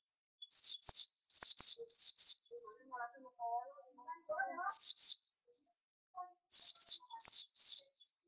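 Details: White-eye repeats high, thin, down-slurred whistles in pairs, three pairs at the start and more later. Soft, low murmuring voices are heard during a mid-recording gap. Presented as a prized tutor singer.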